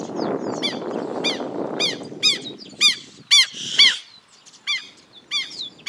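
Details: Southern lapwing, one of a pair attacking the person filming, gives loud, strident, repeated 'keh' alarm notes about twice a second, harsh and ringing, over low wind rumble at the start.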